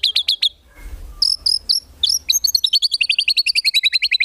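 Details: White-rumped shama song in 'isian tembakan' style for contest birds: quick high chirps, a short gap, then a rapid, even series of paired, sharp notes.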